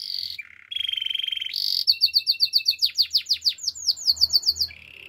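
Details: Canary song of alternating buzzy rolls at different pitches followed by a rapid run of loud sweeping whistled notes and a quick trill, ending in a low soft rattle.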